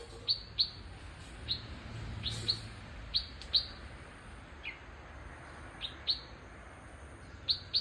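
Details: Bulbul giving short, sharp high chirps, often in quick pairs, scattered irregularly through the recording over a soft steady background hiss.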